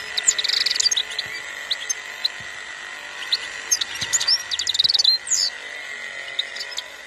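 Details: European goldfinch from a bird breeder in Algeria, singing in 2021: rapid high twittering of sharp chirps and short buzzy notes in quick bursts over a steady mechanical hum.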